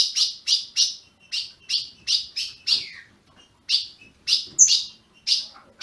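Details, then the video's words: A captive-bred ultramarine grosbeak in Brazil gives a steady run of short, high chirps, roughly two every second, with nothing else in the background. "Azulão piando"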